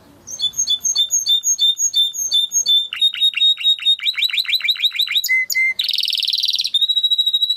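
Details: Timbrado canary singing for training, opening with evenly spaced clear piping notes, speeding into rolling downswept trills, a low steady whistle, then a buzzy rattle and held tone.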